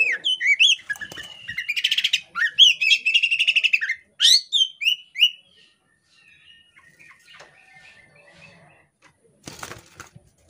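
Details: Female Oriental magpie-robin (kacer poci) in breeding condition, spreading her tail while calling energetically; rapid run of bright, varied whistled and chattering notes for about four seconds, then near silence with faint distant sounds and a brief noise burst.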